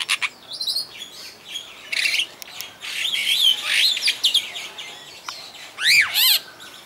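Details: Superb starling singing at Walsrode bird park, Germany, mixing rasping chatter with sliding, warbling whistles, ending in a loud burst of steep up-and-down squeaky notes.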